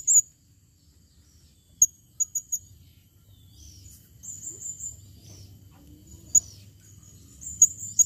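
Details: Female Blue-crowned hanging parrot calling, recorded 2021: scattered very high, thin squeaky notes, a quick group of three near the middle and more short chips toward the end, over a low background hum.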